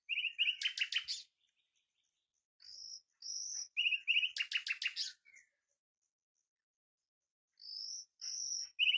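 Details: Common nightingale singing: a burst of rapid, loud, stuttering trilled notes, then pauses broken by high, pure drawn-out whistles and another fast trill, phrases separated by clear silences.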